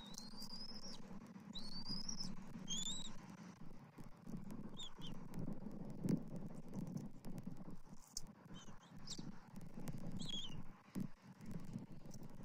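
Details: Bald eagle eaglet on its nest on 21 January 2024, fed fish bites by both parents in turn after the father delivers a fresh fish; thin, high squeaky chirps, some rising, come in short bursts over a steady low rumbling background.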